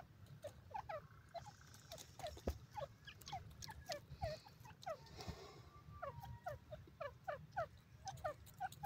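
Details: Grey francolin (bhura teetar) calling in a steady rhythmic series of paired, clipped, descending notes repeated roughly twice a second, over a low rumble with a brief faint tonal hum partway through.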